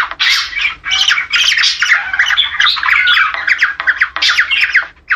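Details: Breeding-stimulation call of the Australian budgerigar: dense, rapid squawky warbling with quick rising and falling chirps packed into long unbroken runs, ending in a short lull.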